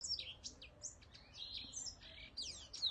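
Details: Whitetip, a cage bird in Vietnam, singing a quick run of high, thin chirps and sharp down-slurred whistles, tumbling one after another for three seconds over a quiet background.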